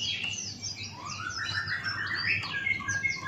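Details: Buxtoni white-eye, a male, singing in the 'ngalas' forest style with open beak: a busy tangle of high chirps and rising and falling slurred whistles, overlapping notes throughout, over a steady low electrical hum.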